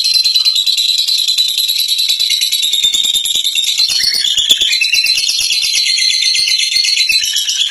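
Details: Long ngekek song of a fighter lovebird: an unbroken, fast, rattling chatter of shrill notes that shifts and wavers in pitch around the middle, sustained without pause.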